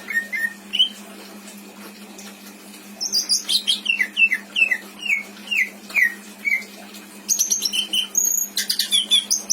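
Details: Caged greater green leafbird in Indramayu, singing mimicked phrases used to tutor other birds: a few soft whistles, then a long series of downslurred whistles followed by dense high chattering.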